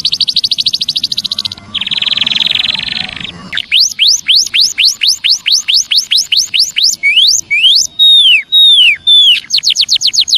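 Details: Lure call of a Javan munia for drawing in wild birds. It opens with a dense buzzy trill, then a steady series of sharp rising chirps, some descending slurred notes, and a final fast chirp run.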